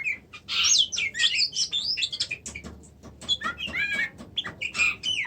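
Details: Oriental magpie-robin in continuous, varied song: rapid twittering, ticking notes and looping whistled slurs running together with hardly a pause.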